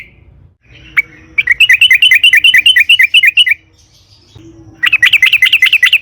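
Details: Sooty-headed bulbul in lively 'ngalas ropel panjang' style, a long rolling song used to lure and spur other bulbuls into singing: runs of quick bubbly chirped notes, about three per second, a pause, then a second dense burst.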